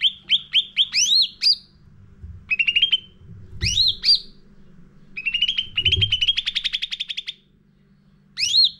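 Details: Caged Sooty-headed bulbul, lure song for training other birds. Bursts of quick clipped chirps alternate with bright rising whistles, including one long rapid chattering run, with short pauses between phrases over a faint low hum.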